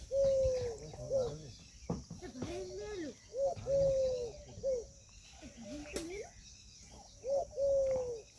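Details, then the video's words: Indian peafowl peahen calling in loud, clear, slightly falling tonal notes, each about half a second long, repeated several times with quieter muffled sounds and soft noise between them. "Peahen bird the Indian peacock/most clear sound"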